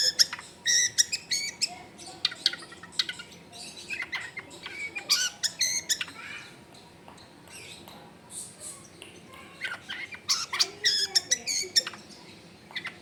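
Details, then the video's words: Long-tailed shrike in busy 'full isian' song at a house in a crowded neighbourhood: a long, jumbled stream of high chirps, clicks and twitters that thins in the middle and picks up again, with background household noise. "CENDET GACOR FULL ISIAN MEWAH"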